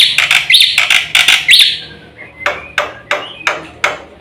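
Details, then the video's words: Black-winged myna in lively song, intended as a lure and master recording: loud buzzy rasps with upslurred whistles, then a series of sharp, evenly spaced chips. "SUARA BURUNG JALAK PUTIH GACOR FULL ISIAN"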